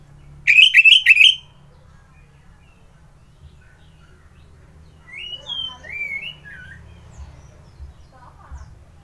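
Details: Orange-headed thrush in Bali, singing as a morning lure to provoke other birds: a loud, quick burst of repeated rising whistles, then a long quiet gap and a softer phrase of slurred whistles.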